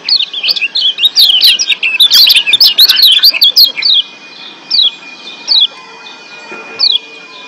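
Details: Yellow Lombok white-eye in breeding condition, excited and actively singing: a dense tumble of high chattering, warbling chirps for four seconds, easing into separate thin, falling notes repeated roughly every second.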